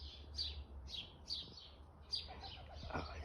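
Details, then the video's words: In a garden where a green woodpecker feeds on worms, it gives harsh, high, rapid alarm notes, about two a second, which the observer reckons signal approaching foxes; brief human voice and low hum. "I reckon the foxes must be coming cuz that's a alarm call from the woodpecker."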